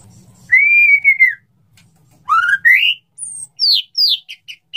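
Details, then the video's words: Male white-rumped shama calling to a female, wanting to mate: a long level whistle, then rising slurred notes, a very high thin whistle and clipped bright notes; faint low hum beneath. "suara burung murai batu jantan merayu betina, suara burung murai batu mau kawin"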